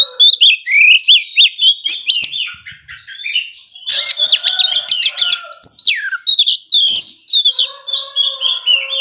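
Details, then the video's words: Oriental magpie-robin in vigorous provocative song, strings of quick rising whistles, buzzy chattering bursts and slurred downward notes, delivered at about four notes a second. "Kacer gacor ngobra bisa memancing emosi kacer yang lambat emosi"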